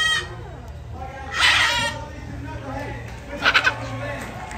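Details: Blue-and-yellow and red-and-green macaws talking in a harsh, raspy voice: one drawn-out, bleat-like cry, then three quick rasping bursts, over a low background murmur.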